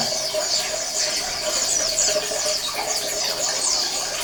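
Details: Oriental white-eyes calling as a colony to spur silent males into song, a steady wash of high, thin, quickly repeated chirps and down-slurred notes over a low humming background.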